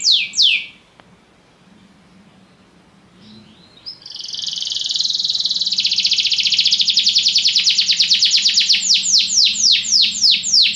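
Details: Belgian canary: two loud descending swoops, a long quiet pause with faint low hum, then a sustained, very fast buzzy trill that swells and finally slows into separate downward-slurred notes.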